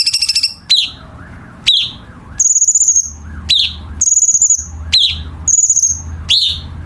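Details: Chinese bulbul master song for competition birds, featuring sharp, tightly packed harsh fills: short high bursts alternate with sharp upward-flicking notes and thin level whistles, repeated roughly every second against a faint low hum.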